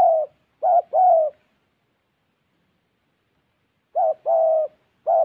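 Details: Cooing from a spotted dove decoy, Gia Lai: strong short-long coo pairs with a resonant, slightly rough tone, separated by a long silent pause, no other sounds.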